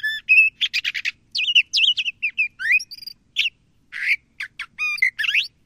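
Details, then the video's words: Buzzy rattles, squeaky upswept whistles and abrupt sharp notes tumble together in quick succession, attributed to a LeConte's thrasher calling and singing, with no other noise. "LeConte's Thrasher Bird Singing, Calling, Chirping - Cuitlacoche Pálido Canto"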